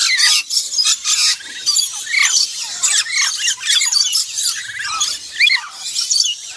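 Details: Black-winged lory calls: a rapid series of harsh, grating shrieks in bursts roughly every half second, mixed with short squawks and rising squeals, loud and high-pitched throughout.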